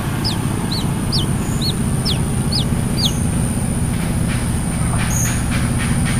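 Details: Brown-throated sunbird, locally called kolibri kelapa, singing actively; a run of seven short, thin, high descending whistled notes about half a second apart, over steady loud low humming noise.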